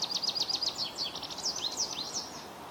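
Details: American goldfinch in Ontario giving a rapid run of thin, high twittering notes that rise and fall, about three seconds long, over faint background hiss.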